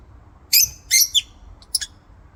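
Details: Lovebird in an aviary giving three shrill, harsh chirps in quick succession, each a short buzzy burst, the middle pair closely spaced and a final thinner chirp after a pause; quiet low background hum.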